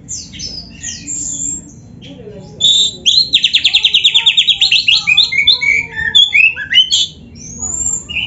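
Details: Oriental magpie-robin in full 'gacor isian' song, a mimicry-filled master recording for training other birds: varied sharp whistled notes and slurred chirps, then a fast buzzy trill of about twenty pulses, followed by rising and falling whistles.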